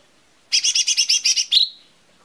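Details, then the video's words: Lesser green leafbird lure song for making birds sing: a rapid string of eight buzzy, double-toned notes ending in a sharp high whistle that fades. "SUARA PANCINGAN CUCAK IJO MINI"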